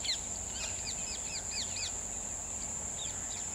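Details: Red-vented bulbul (Pycnonotus cafer), one of a pair settling in for the night in the evening: a quick run of bright, arched chirps, about five in under two seconds, then one more, over a steady high insect drone.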